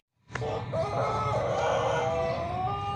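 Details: Plered Pelung rooster from Purwakarta Regency, crowing a long, full, harmonic note that rises in loudness and holds steady for nearly three seconds against a low background rumble.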